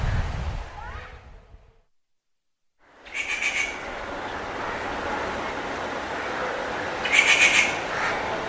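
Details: Rufous treepie with harsh, rasping bursts, one around three seconds and another near seven seconds, over constant background hiss after a brief silent gap.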